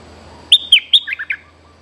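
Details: A feisty young bulbul sings as a lure: a rapid seven-note phrase that starts with loud, bright high notes and drops to lower, bubbling ones, with a low hum underneath.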